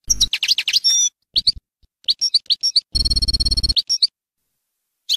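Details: European goldfinch song of the Bayinam Ghazirat style, used for teaching young birds: rapid twittering chirps, a sustained nasal buzzy phrase with a low hum beneath, then more quick tinkling notes with short pauses.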